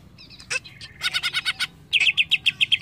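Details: A greater green leafbird sings bright high chirps, then a fast string of about ten clear, evenly spaced whistled notes, roughly four per second; the song is played as therapy so other birds start singing.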